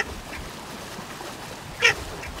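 Baer's pochard gives a single short, harsh, nasal call near the end, over a soft background hiss.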